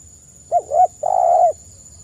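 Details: Spotted dove singing in a lively way, melodious coos used to lure other spotted doves into replying; a quick soft double note, then one long, full, slightly falling coo, over a faint high hum.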